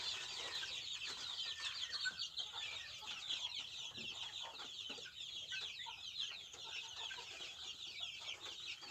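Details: Native Indonesian village chickens (ayam kampung, joper crossbreeds mentioned): rapid, overlapping thin chirps from a large group, constant and busy for nine seconds, the peeps slightly rising in places, with no other clear sounds.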